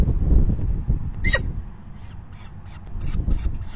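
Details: Falcon begging at the nest during the fifth feeding of May 9, 2020, at 4:40 PM: one loud downward-sliding cry, then a run of short, harsh, high chirps repeated rapidly over low rumbling background noise.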